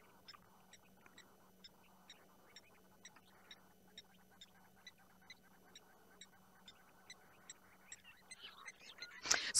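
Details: At night under a full moon in Djuma Private Game Reserve, South Africa, 8 May 2020, blacksmith lapwings give sharp, metallic 'tink' alarm notes, about three a second, upset at a male leopard drinking; low hum, rustle at end.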